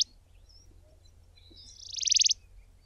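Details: Grey-backed cisticola in fynbos shrubland, South Africa, giving its typical call: a thin high note, then a quick, high, buzzy trill of about a dozen pulses that swells louder before stopping abruptly.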